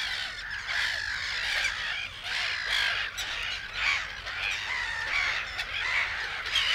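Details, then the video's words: Black-headed Gulls in the Matsalu reed beds, a field recording. Many harsh, grating calls overlap in a dense, continuous chorus, rising and falling in loudness with no clear pauses. "Black Headed Gull"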